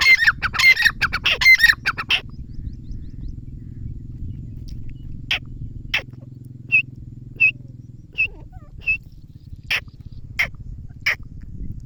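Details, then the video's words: Grey francolin giving sharp, high single notes, repeated irregularly, some short and clipped, others tonal. A loud burst of noise opens the recording, and a low droning hum runs underneath. "Teetar ke awaz | teetar sound | teetar ke boli"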